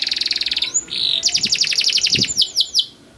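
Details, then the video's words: Canary master song meant to coax juvenile canaries into singing: a quick high trill, a brief flat buzzy note, then a run of rapid repeated sweeping notes slowing into wider swoops. "Long Cuit Cuit Canary Masteran For Early Childhood Canary Baits to Sound Quickly || Voice of Canary"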